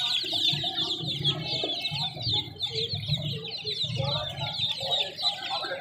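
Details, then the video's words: Chorus of chicken chicks, with shrill, short peeps pouring out nonstop and overlapping at high pitch, over a low background drone. "Free Sound effects Chicks"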